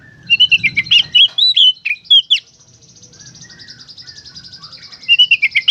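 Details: Oriental magpie-robin in lively gacor konslet song, meant to get other kacer singing: a fast series of loud, bright whistled notes with swooping slurs, a sustained soft buzzy trill, then renewed ringing whistles.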